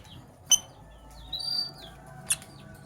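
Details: Lovebirds, Sky Blue Opaline and Cobalt, in the morning, give a sharp clipped chirp, a brief thin wavering whistle, and another short high note.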